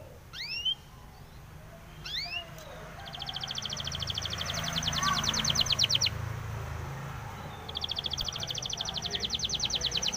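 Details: Spanish timbrado canary training song: a few quick upswept whistled chirps, then a long fast trill of evenly spaced high notes, a brief break, and another trill starting up.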